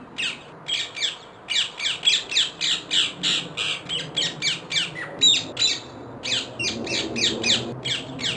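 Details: Rapid, continuous harsh screeches from a wild rose-ringed parakeet, about three per second, with a short break near the six-second mark, over a soft low rumble.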